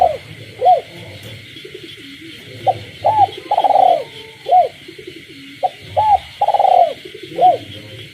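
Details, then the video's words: Captive spotted dove calling at night in a rural village setting, with frogs: two full coo phrases of clipped hooked notes around a drawn-out vibrating middle note, about three seconds apart, with a constant shrill frog and insect chorus behind. "cu gáy trong đêm, cu nuôi avi gáy ban đêm hòa cùng tiếng ếch nhái đậm chất làng quê"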